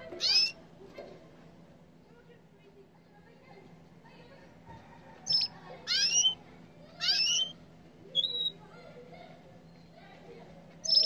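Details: Yellow canary giving loud, short chirped notes with a slight upward or downward sweep, spaced by long quiet gaps: one near the start, then a cluster of four or five, then one at the end. A faint steady hum runs underneath.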